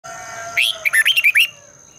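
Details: Red-whiskered bulbul singing in the morning, a training recording to stimulate other birds to sing: one loud burst of rapid, warbled notes rising and falling, about a second long, over faint background hum.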